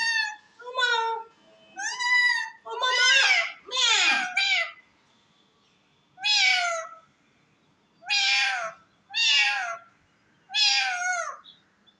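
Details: A parrot speaks face to face with its owner, giving a run of short, nasal, word-like syllables early on, then four separate bright phrases spaced about two seconds apart, each ending in a downward slur.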